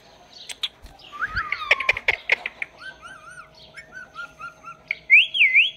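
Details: Pet talking parrot giving scattered chirps, a twisting whistled phrase, then short wavy warbles and a loud looping whistle near the end over a low constant hum.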